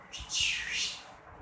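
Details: Pet Indian ringneck (rose-ringed) parakeet, grown from a small chick and now with its full neck ring, talks in Urdu/Hindi, mostly repeating "mitthu bete": a single shrill, raspy, hissy utterance of about half a second in a quiet room.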